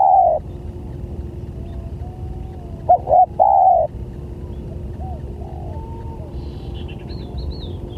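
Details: Spotted dove lure call to attract other doves: a drawn coo, quiet faint distant cooing, then a stuttered note and a long coo, with high chirping of small birds near the end.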